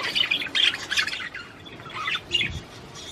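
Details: Budgerigar song to encourage mating with the female: bursts of sharp chirps and squeaky chatter, loudest at the start, then sparser notes after a short lull.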